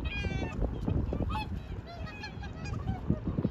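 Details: A group of whooper swans in Hirakawa, Aomori, Japan, recorded in 2021, giving loud overlapping bugling honks with a brassy, nasal tone, densely packed.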